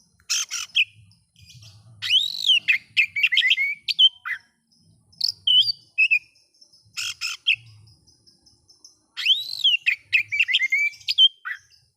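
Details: Oriental magpie-robin song intended to provoke other magpie-robins: bursts of harsh notes, then loud arched whistles running into quick varied chirps and slurs, repeated in phrases separated by short pauses.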